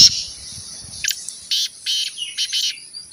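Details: Partridge (teetar) in training to call more: four strong, buzzy, grating notes spaced about half a second apart, the final pair almost joined, in a quiet setting.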